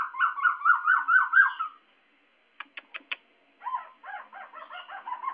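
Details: Loud white-crested laughingthrush that mixes shouting, scolding and song. It gives a rapid, rollicking chatter of zigzag notes, then a few sharp clicks, then more layered chattering phrases.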